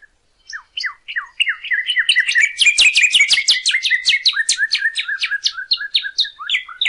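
Northern Cardinal song that opens with a few sharp downslurred notes, then builds into a dense, fast run of bright chirps and slurs, about three notes a second.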